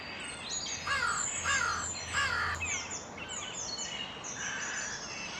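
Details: Crow uttering a few rough, harsh caws in quick succession during the first seconds, followed by high thin chirps and sweeping whistles from other birds in an outdoor setting.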